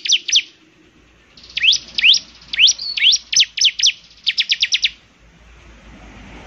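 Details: Energetic song of a bar-winged prinia, said to draw other prinias into singing. Two sharp chips open, then a string of steep rising slurs and a tight burst of rapid high notes.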